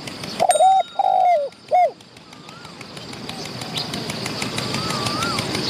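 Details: Spotted dove in the wild, calling near a decoy. One loud phrase of three coos, short, long and falling, then quiet with faint distant rising whistles and background hiss.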